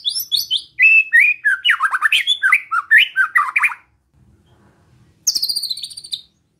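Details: Relaxed besetan of a white-rumped shama aimed at provoking other shamas: a long fast cascade of varied whistled and harsh notes for several seconds, then after a pause a high buzzy rattle.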